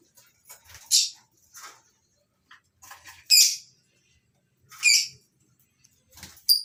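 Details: Morning at a small colony aviary of lovebirds kept for breeding; loud, piercing squawks ring out about every one and a half seconds, each a harsh burst, with quieter chirps and brief gaps of near silence between them.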